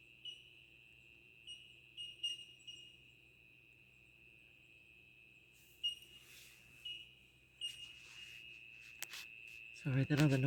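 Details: Bell miners (bellbirds) heard beside a gravel road near Ebor, New South Wales, in very dry conditions, give pure, bell-like 'tink' notes in a steady ringing chorus, single pings every second or so, over a car fridge's low hum.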